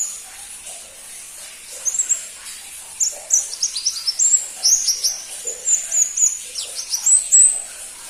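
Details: Crimson-breasted flowerpecker (pentis pelangi), scarce among kept birds, opening quietly and then breaking into a dense chatter of very high, sharp, slurred ticks and thin whistles over the last five seconds.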